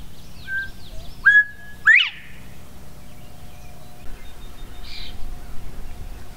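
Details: Northern bobwhite singing in Goose Lake Prairie State Park, Illinois: a short level whistle followed by a loud, sharply rising whistled upslur, with a fainter whistle just before and soft chattering of other birds.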